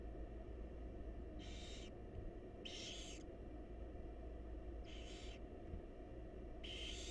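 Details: Wild barn owl chicks beg for food from their mother inside a nest box. Four short, raspy snoring hisses are spaced about one to two seconds apart over a steady low hum.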